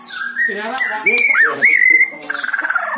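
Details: White-rumped shama song used to encourage a silent bird: a sweet level whistle with a dipping warble, followed by a faster buzzy trill, over low background hum.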